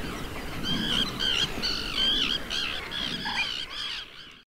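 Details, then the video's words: Pied avocet, juvenile, recorded in summer on 23 June 2022 beside the Suscinio marsh, Morbihan, France: clear, high, fluty call notes with bright harmonics, given in rapid irregular series about three per second, then fading to quiet. "AVOCETTE Élégante/Été/Juvénile ! BRUITX"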